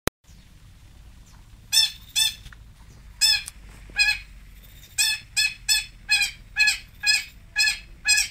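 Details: Long-tailed shrike, known locally as cendet, pentet or toet, from Singosari: a series of harsh, rasping broadband notes, about two per second after a quiet start, with faint low background hum.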